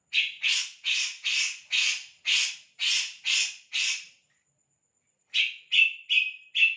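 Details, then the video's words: Kores bird calls: a rapid run of nine scratchy, noisy squawks, then a pause of about a second, then four shorter, slightly tonal rasps at a steadier pitch. "Suara burung kores"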